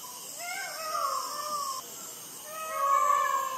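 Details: Midnight peacock calls in Sri Lanka, recorded with a Sony ICD-PX470: two drawn-out, mewing, cat-like wails with a slight downward slide, separated by a short pause, above a constant shrill insect drone.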